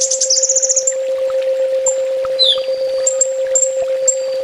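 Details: Kolibri ninja sunbird in a full tembak master song: a fast, high, sparkling trill of bright notes, then thin scattered whistles and chips, over a steady low electrical hum.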